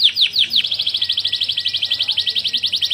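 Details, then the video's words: Canary singing, a recording for tutoring other canaries: a few loud downward swoops, then a fast steady trill of bright notes held for over two seconds. "Suara Kenari Paling Gacor Terpanjang Untuk Masteran"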